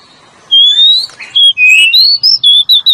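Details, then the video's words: Male and female Oriental magpie-robin lure song, a quiet start, then a long level whistle, a harsh buzzy note, and varied whistled phrases stepping up and down, closing with four quick clipped whistles. "SUARA BURUNG KACER PIKAT PALING JOS SUARA JANTAN DAN BETINA"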